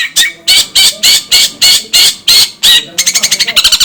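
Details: Long-tailed shrike giving loud, rasping scolding notes repeated about three times a second, then breaking into a faster, stuttering chatter at the end.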